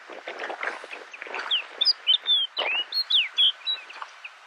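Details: A Snow Bunting (Plectrophenax nivalis insulae) on Flatey, Iceland, in June 2019, sings a bright, warbling phrase of quick whistled notes, some rising and some falling, after a rough patch of wind-like rustling.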